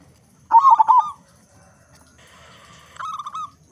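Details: Local zebra dove, loud and keen to sing, used as a lure for other doves: one strong rippling phrase of curved coos, a pause, then a softer series of level notes.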